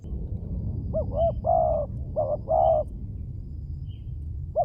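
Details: A spotted dove's lure cooing: gentle low hoots in two linked phrases, each a brief wavering note then a sustained coo, over a steady low rumble of background noise.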